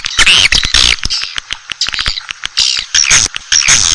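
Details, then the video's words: Lure call for Asian swiftlets: loud buzzy twitter bursts interrupted by quick dry clicks, with short high squeaky notes in the second half. "SUARA -PANGGIL WALET ASIA"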